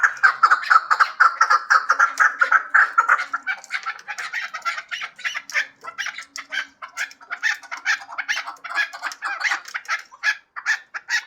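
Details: Hybrid chukar partridge with an opening rush of overlapping, rattling chuk notes, followed by looser, evenly repeated clucks for the rest of the recording.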